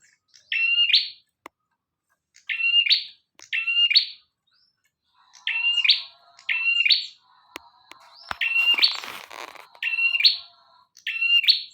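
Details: Bar-winged prinia singing energetically as master material: clear, piercing doubled phrases in loose groups of two or three, separated by brief silences, with a faint clatter near the middle.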